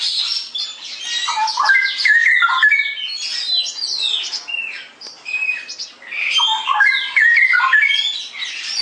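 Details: Straw-headed bulbul pouring out continuous ngeroplek song, cascades of loud bubbling, liquid whistled notes tumbling up and down with almost no break, with brief high squeaky notes mixed in.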